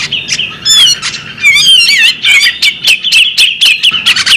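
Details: Female bearded magpie robin calling: a rapid run of sweet whistled and squawky notes near the same bright pitch, with quick rising and falling slurs and short sharp chips repeated several times a second.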